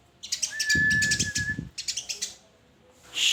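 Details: White-rumped shama singing: a long, steady, pure whistled note held for over a second, mixed with bursts of high chirps, then a run of quick, separate sharp notes.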